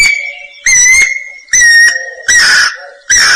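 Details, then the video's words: Guira cuckoo (anu-branco) singing: loud, clear whistled notes at a steady mid-high pitch, delivered in bursts under a second apart, the later notes harsher and raspier, with little background noise. "Canto Anu-Branco"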